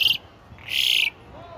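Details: Asian pied starling giving two loud, harsh, rasping calls: a short burst, then a longer grating one lasting nearly half a second, over a low background hum.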